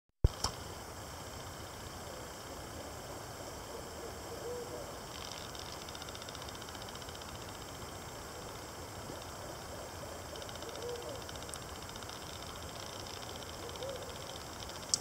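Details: Owl calling in Ontario on 26 May 2018, giving a few short, soft, low hoots spaced several seconds apart over a steady hissing background with faint high-pitched whine.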